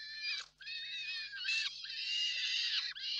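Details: Peregrine falcon parents at the Reda nest, 4 May 2023, the father having brought food: a continuous rasping, whining scream with brief dips, over a faint low electrical hum.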